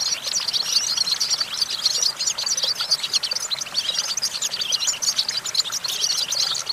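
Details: Goldfinch song from a branch perch: fast, sparkling twitter of chirps and trills in long, jumbled phrases, briefly pausing near the two-second mark before continuing.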